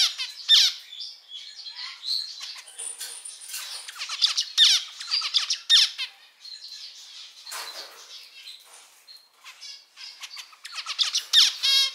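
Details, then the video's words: Pet male zebra finches kept indoors, several colour varieties including black-cheeked pied, normal, penguin and fawn, singing: dense bursts of buzzy, nasal notes and rapid harsh chatter, with quick rasping trills and short squeaky chirps, phrases repeating in loose bouts over twelve seconds. "キンカチョウのさえずり・鳴き声 集めました②｜個性的なオス達 かわいい鳥 Cute Zebra Finch Songs 🎵 sing sounds calls"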